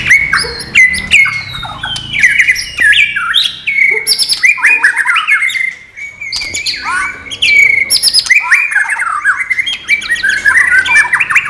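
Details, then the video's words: White-rumped shama singing a non-bubbling style meant as training material: a rich, fast stream of varied whistled phrases with sweeping, bending notes and sharp chips, barely pausing across the passage. "MATERI BURUNG MURAI BATU NON GELEMBUNG"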